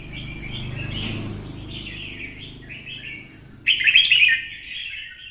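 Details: Caged red-whiskered bulbul, twisted-voice style, excited into combative singing: soft continuous warbling chatter, then a sudden loud burst of rich jumbled notes near the end, with low hum beneath.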